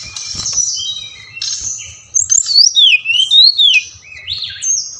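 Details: Brown-chested jungle flycatcher song used as a lure for captive birds: scratchy high notes first, then clear swooping whistles rising and falling in quick succession, ending with short upward slides, over a low hum.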